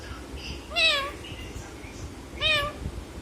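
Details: Parrot copying a cat's meow: two clear, nasal mews with a falling tail, roughly one and a half seconds apart, against a faint background murmur.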